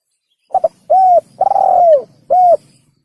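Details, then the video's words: Spotted dove lure call for hunting: one phrase of a stuttered double note, a short clear coo, a long coo sliding downward, then a closing short coo, against a quiet background. "Pikat Burung Tekukur / Suara Burung Tekukur | The Sound of The Turtledove"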